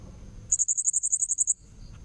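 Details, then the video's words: Blue-crowned hanging parrot, recorded as a lure: one quick train of about twelve shrill, very high notes lasting roughly one second, evenly spaced, over faint low background noise. "Suara pikat burung serindit"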